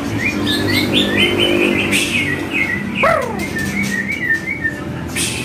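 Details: Training song of the white-rumped shama, a not-yet-heated track to make kept shamas reply: quick whistled upslurs and chattery notes, one steep descending swept whistle midway, constant low hum behind.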